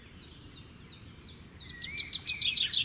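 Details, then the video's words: Natural bird singing: four evenly spaced high chirps followed by a fast, dense twittering run and a long rising whistled note, with constant low hiss behind. "Birds Natural Singing Sound"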